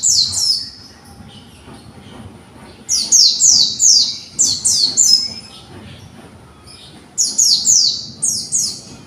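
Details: Young white-eye kept in conservation arranging its song: clusters of high, sharp, down-slurred chirps in three phrases separated by short pauses.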